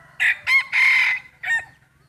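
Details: Breeding rooster crowing in a crowing contest, released to show off: a loud, harsh crow in four bursts with a short opening note, two longer strained syllables, then a brief closing note. A steady low hum underneath.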